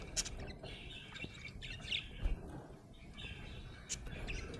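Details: Happy budgerigar chirping: scattered bright chirps and short warbles with a few sharp clicks, separated by gaps over a soft, steady low background hum.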